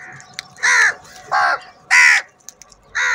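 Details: Large number of crows fighting for food, four loud harsh caws about half a second each, spaced irregularly over a few seconds, with a faint background hum.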